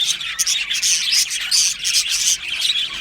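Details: Happy budgerigars in an aviary produce bursts of bright, high warbling chirps, loud pulses roughly every second over a constant chattering background.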